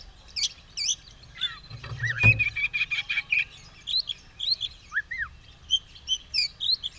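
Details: White-rumped shama, tail spread and ready to fight, sings a varied run of high whistles, slurred up-and-down notes and rapid ticking phrases, with a brief low thump midway.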